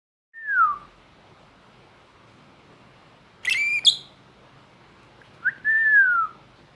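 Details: Lovebird giving an odd call: a falling whistled note, then a harsh burst of stacked high squawks, then a longer slurred whistle that rises briefly and falls, with quiet gaps between.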